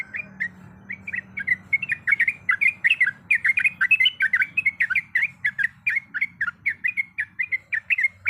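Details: Yellow-vented bulbul in full, lively 'ropel panjang' song: an unbroken stream of quick, bubbly, warbled notes that rise and fall, delivered rapidly and continuously, with faint low hum underneath.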